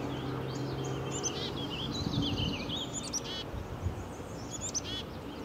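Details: Black-capped chickadee perched beside a public walking trail in Woodstock, Ontario, chirping: sharp high notes mixed with short buzzy, harmonic-rich phrases, repeated through the recording over a steady low hum.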